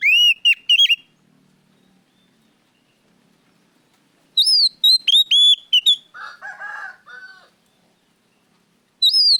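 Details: Oriental magpie-robin (kacer) singing loudly and clearly as a lure recording: bursts of bright, whistled notes with upward and downward sweeps, then a softer run of lower, buzzy chattering notes, with quiet gaps between phrases.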